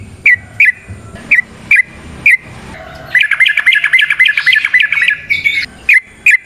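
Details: Sooty-headed bulbul in long fighting-style song, played to coax others to sing: spaced single chirps about every half second, then a dense bubbling run of fast chattering notes for two seconds, then spaced chirps again.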